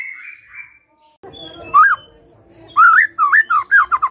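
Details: White-rumped shama singing as a lure to make other birds sing; after a faint opening and a low hum, loud looping whistled notes come in quick separated bursts.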